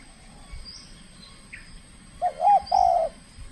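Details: In a first contest bout, an aggressive trained spotted dove from the Riau Islands gives a wavering double coo followed by one long, even coo after a quiet stretch with faint chirps.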